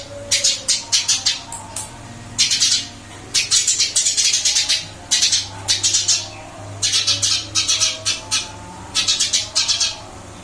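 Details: Eurasian tree sparrow in a cage, still vocal after being moved to a new one: repeated bursts of chattering, buzzy chirps in tight groups, pausing briefly between runs, over a constant low indoor hum.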